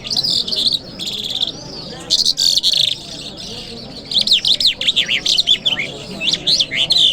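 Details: Lark singing in Kabul city on a Friday morning: rapid buzzy trills, then a run of quick rising and falling whistled notes, high-pitched and continuous, with low murmuring voices in the background.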